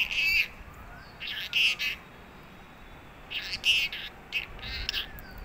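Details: Talking pet parrot giving short, bright, chirpy bursts in four clusters over five seconds, each with a sharp high whistled note, over quiet background hiss.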